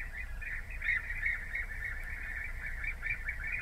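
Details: European bee-eaters calling together, a dense stream of overlapping rolling, burry notes kept up without a break, over a steady low rumble.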